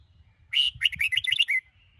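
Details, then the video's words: Morning training song of a caged Sông Kôn red-whiskered bulbul, a lively one-second burst of rapid, bubbling, whistled notes that ends in a short falling slur, over a low background rumble. "Chào Mào Sông Kôn - Luyện Giọng Hót Hay | Luyện Chào Mào Bổi Hót Sáng"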